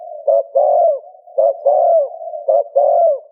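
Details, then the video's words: Spotted dove cooing, played to stimulate another dove to coo: three phrases about a second apart, each a short note then a longer falling, mellow coo, with a faint steady hum behind. "Tiếng Chim cu gáy gù kích bổi hiệu quả"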